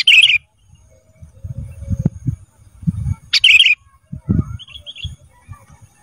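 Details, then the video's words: Kutilang emas, a cage bird, recorded as a training song for other birds: two short, loud bursts of chattering, bubbly notes about three seconds apart, with low rumbling background noise between them. "Masteran Kutilang Emas Mudah Gacor"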